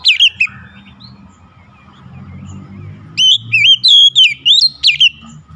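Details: Oriental magpie-robin song: a brief whistle at the start, a lull with low hum, then a lively series of looping, repeated whistled notes.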